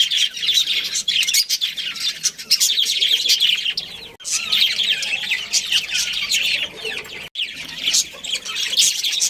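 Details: Budgerigars in a colony with a breeding pair chatter nonstop in bright, scratchy, high-pitched warbles. Several birds chirp together, broken by two brief silences.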